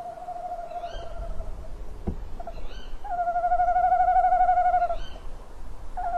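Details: Tawny owl pair at a nest box on an evening, 27 February 2016, 18:41; the male calls from a branch and the female flies at him for prey. Long, steady mid-pitched hooting tones, with short, higher, sharp calls in between.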